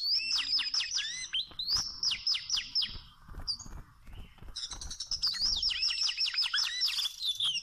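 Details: Wild Oriental magpie-robin, filmed during trapping with small ropes, singing quick runs of bright, falling whistled notes repeated in short bursts, a brief pause, then a higher, busier stretch of sweet slurred phrases.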